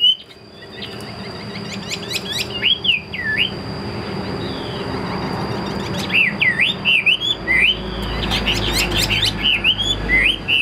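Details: Captive fighting Chinese hwamei gives a few clicks and curling whistles, pauses, then breaks into a lively string of looped, wavering whistled phrases. A low rumble and a thin steady high tone run in the background.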